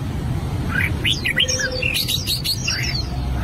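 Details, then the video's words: Albino red-whiskered bulbul practising its song: a few short, bright whistled phrases with quick rising and falling notes, some sharp high clicks, over a steady low hum. "Chim chào mào bạch tạng hót luyện giọng"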